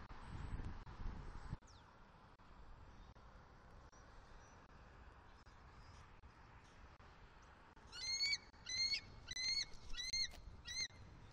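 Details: Male eagle and a new female at their nest in Southwest Florida, October 1 2023 in the morning, bringing sticks and mating on the attic with vocals; a rapid series of about six thin, high chirping notes near the end, after wind and rustling.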